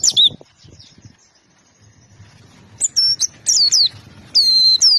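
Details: Oriental white-eye giving short bursts of high, thin slurred whistles and twitters, a brief phrase at the start, then a quiet gap with soft background rumble, before several sharp chirping phrases return near the end.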